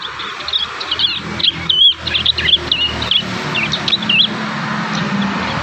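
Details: Juvenile prinias practising their song, a scratchy series of high, quick up-and-down whistled notes and chirps over steady background noise and low rumble.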